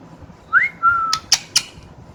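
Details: A single rising whistle sliding into a long steady tone from a pet parrot that has started whistling, then three sharp clicks.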